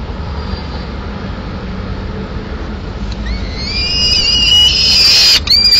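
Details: Lone peregrine falcon chick in Madrid, 22 May 2016, demanding food after the male brings a swift that the female takes to eat at a window; steady low rumble, then high wavering whining calls rise from the fourth second.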